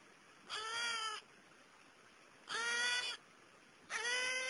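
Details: Young wild New Caledonian crows learning larva-fishing, extracting wood-boring beetle larvae with tools at natural foraging sites; three drawn-out, nasal, harmonic whining calls about 1.5 seconds apart, each slightly arched in pitch.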